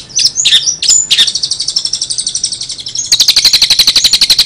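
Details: Long-tailed shrike, described as singing strongly with strange sounds: a few scratchy, rasping notes, then a fast, even, rattling series of high pulses that grows louder toward the end.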